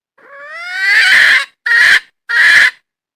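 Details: Red junglefowl hen, a wild bird, calling. A long nasal note swells and rises, followed by two shorter, harsh squawks about half a second apart. No other sounds are audible.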